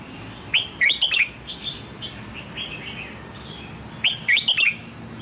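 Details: Two lively whistled phrases from a newly purchased wild-caught red-whiskered bulbul trained toward the Sông Kon song. Each is a tight run of four or five sweeping notes, separated by a few seconds of faint chirping.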